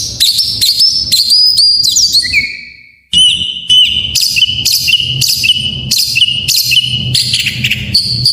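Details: Oriental magpie-robin full isian song, used to stir reluctant birds to sing: opening warbled whistles and a falling slur, a short break, then a repeated phrase of a slurred whistle plus a buzzy note, about every 0.7 seconds.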